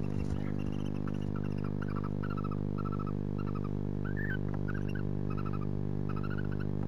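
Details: Female and male barn owl greeting and grooming each other in a nest box at night, 3:16 am, 19 January; rapid soft chirruping twitters repeat several times a second over a steady low electrical hum.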